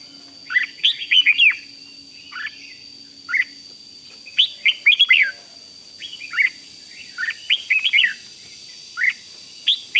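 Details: Red-whiskered bulbul in 'rik' style song, meant to excite other bulbuls: a steady run of short, bouncy warbled phrases of several notes each, repeating every second or so, with a thin constant tone behind.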